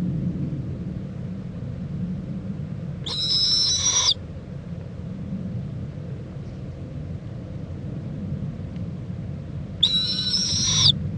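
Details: Owl mother checking on and preening her owlet in Indiantown, Florida, late morning on February 26, 2014: two harsh, high, hissing screeches about seven seconds apart over a steady low rumble.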